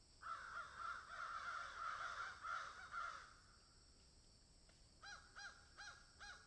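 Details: Crows in a field give a dense run of rough, overlapping caws for about three seconds, then after a short gap a sharper series of clipped, evenly spaced caws; several birds calling.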